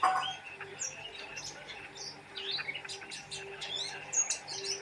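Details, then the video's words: Lively Oriental white-eye chirping in short, high, thin twitters and quick whistled notes, over a soft steady hum. "Burung pleci gacor"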